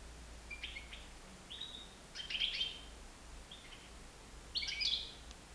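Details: A nine-month-old European goldfinch, flying free in a living room, gives short bursts of bright, tinkling twitter, high-pitched and irregular, about five phrases in as many seconds, over a faint steady background hum.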